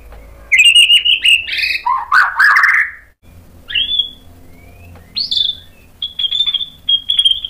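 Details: White-rumped shama singing to provoke other shamas into answering: varied song of clear whistled notes near the upper-middle range, rising slurs, a harsh buzzy burst, then sustained steady whistles repeated in short phrases with brief pauses.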